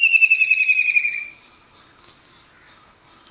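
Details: A kingfisher in Pakistan, perched and calling in early morning, gives a shrill, rapid trill of about a dozen pulses, drifting slightly lower, then fades into faint high buzzing.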